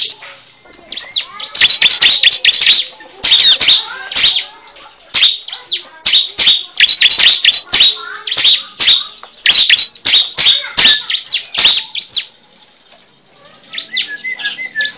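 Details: Cible bird call for luring: loud, irregular bursts of sharp, high chirps and squeaky trills, with short gaps between groups and fading twitters at the end.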